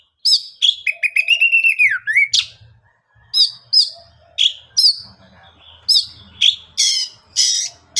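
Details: Oriental magpie-robin singing to provoke other birds into answering: loud clear whistles, a falling slurred phrase, then a series of separate sharp high whistled notes repeated roughly every half second, with a faint low hum beneath.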